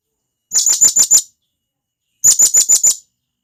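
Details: Companion-calling of a wild blue-crowned hanging parrot recorded in the forest: two evenly paced bursts of five shrill, very high tseet notes, with a pause between and a silent background.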